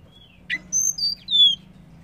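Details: Call of a female banded pitta meant to stimulate males: a short sharp upward note followed by three high whistles that step downward, over a faint low hum.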